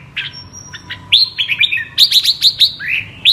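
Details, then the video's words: Red-whiskered bulbul of the apricot (mơ) colour form giving double-voice (giọng kép) song: a few thin notes, then a fast run of sharp upswept whistles with a sustained high tone underneath. "Con Chào Mào MƠ cực đẹp, HÓT giọng KÉP Cực đã"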